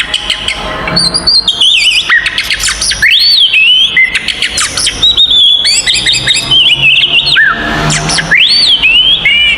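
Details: Provoking fighting song of an oriental magpie-robin; vigorous, loud sequence of scratchy bursts and high slurred whistles, several arching phrases repeated with short breaks.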